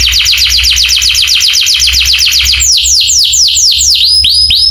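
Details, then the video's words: Canary singing in a training recording to make other canaries respond: a rapid rolling trill of falling notes, then slower, louder sweeping whistles that curve down and back up near the end. "masteran burung kenari cuit cuitnya bikin kenari lain langsung nyamber"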